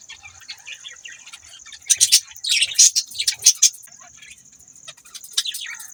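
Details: Pet budgerigars calling, a burst of loud harsh chirps and warbling notes in the middle, over a constant high steady whine and softer chatter.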